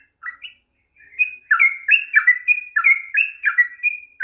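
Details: Sooty-headed bulbul in long rapid song, played to provoke a bird that will not sing: two isolated whistled notes, a pause, then a quickening chatter of bright slurred whistles.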